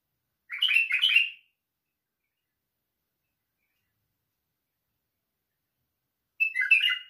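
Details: Two brief warbled phrases from a white-eared bulbul, the first at the start and the second about six seconds later, each lasting roughly a second, with quiet in between.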